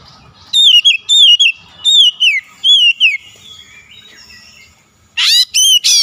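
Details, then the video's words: Oriental magpie-robin song used as a lure to provoke a rival into singing: clear whistled notes with harmonics, arched and falling, in short phrases roughly every half second, a pause, then loud rising sweeping notes near the end. "PANCINGAN KACER LAWAN LANGSUNG BUKA SUARA GACOR"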